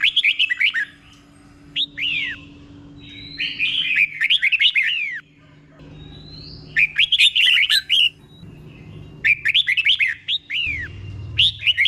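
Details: Caged Thai red-whiskered bulbul singing the slow, clear doubled style as a model for young birds: four bursts of rapid, cheerful whistles, each with several sharp down-curving slurs, spaced by pauses of one to two seconds.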